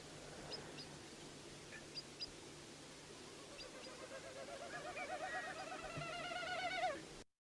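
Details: Wilson's Snipe winnowing in display flight, not a song but air rushing over modified outer tail feathers, in Newfoundland and Labrador: hollow, rapid, tremulous hooting that swells louder over several seconds as the bird moves, with faint chirps early on.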